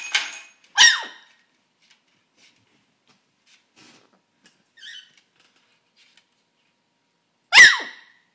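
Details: Pet bird, excited while playing with bells, gives sharp, squeaky, descending calls: two close together at the start, a long quiet gap with faint small sounds, then one more loud squeak near the end.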